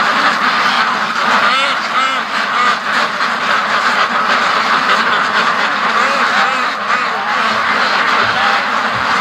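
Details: Large free-range duck flock, over 650 birds, on the daily rush to or from the lake in 2014. Continuous chorus of harsh quacks with rising and falling strokes, masked by constant broadband wind noise.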